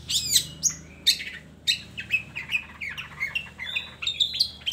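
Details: Long-tailed shrike song meant to lure lazy shrikes into singing: harsh squawking notes mixed with sharp whistled chirps and rasps, delivered in uneven bursts over a steady low background hum.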